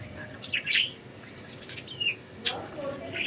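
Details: Budgies flying free give twittering chirps: a scratchy warble, a thin descending whistle, a sharp click-like note, then another brief chatter, with faint voices underneath.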